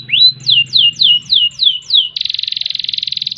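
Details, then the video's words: Canary singing a rising note, then six evenly spaced downward-slurred whistles about every quarter second, ending in a fast, even buzzy trill. "Kenari Gacor Panjang Ngerek Ngerol Nembak"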